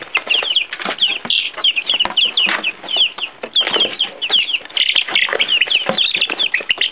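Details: Young chicks out of doors for the first time, feeding on earthworms; rapid high-pitched cheeps from many birds overlap in a busy chorus, broken by a few sharp clicks.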